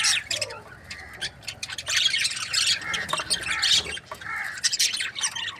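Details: Squawky chirps and warbling chatter from budgerigars kept as breeding pairs, several birds calling over one another in steady bursts.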